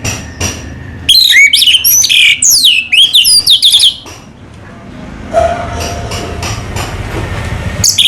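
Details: A caged orange-headed thrush in Indonesia sings a loud, rich run of varied high whistles, slurred and chattering phrases for about three seconds. Its song then gives way to steady background rumble, and a brief whistle returns at the end.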